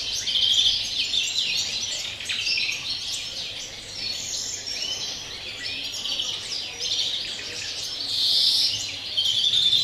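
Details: European greenfinch, a campero bird, singing its pure song: a continuous stream of rapid twittering trills and buzzy notes over about ten seconds, with a brief louder burst near the end.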